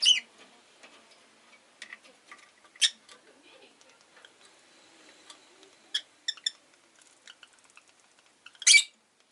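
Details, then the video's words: A rosy-faced lovebird sounds off with sparse sharp chirps and two loud grating squawks, one early and one near the end, over light clicking and rustling. "Lovebird Chirping Sounds"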